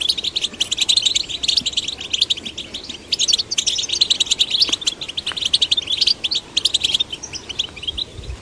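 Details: Goldfinch chicks of both sexes, stimulated to sing, keep up a dense, rhythmic twitter of sharp metallic chirps and buzzy trills, with faint clicks in the background.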